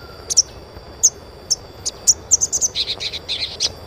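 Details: Asian pied starling chirping to prompt young starlings to sing: scattered high chirps that quicken into a rapid run of squeaky notes after two and a half seconds, over a steady high-pitched whine.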